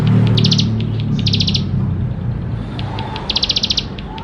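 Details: Bar-winged prinia song rich in fill-ins, used to prompt young birds to sing: a few fast high ticking bursts, separated by pauses and single clicks, over a loud low droning hum that fades midway.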